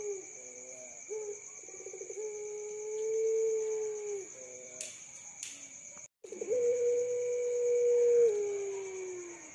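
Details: Young puter pelung dove with a pulsed rolling opening, a long level coo, a couple of sharp clicks and a brief dropout, then another long drawn coo easing downward.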